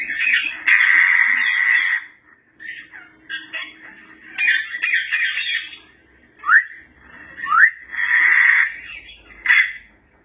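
Grey parrot giving loud, harsh squawks about two seconds long, broken by short rising whistles near the end; nothing else stands out.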